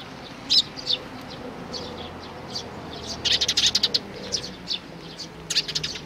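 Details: Sparrow family of chicks and parents, 11 May 2019; scattered high chirps, then a dense rapid burst of chirping around the middle, and a final cluster near the end.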